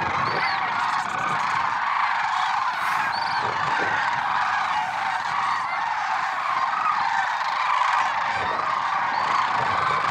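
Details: Lesser sandhill cranes at Merced National Wildlife Refuge, early morning on 6 February 2023: a loud, unbroken chorus of many overlapping rolling, trumpeting calls from a large gathering, with no pauses throughout.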